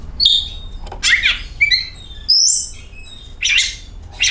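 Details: Oriental magpie-robin singing to provoke other magpie-robins: high thin whistles alternating with harsh grating bursts, followed by further rasping notes after a short pause.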